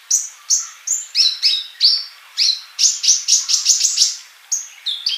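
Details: Energetic sunbird song: loud, piercing chirps repeated quickly, building to a fast run of evenly spaced notes near the middle, then a few final squeaky calls.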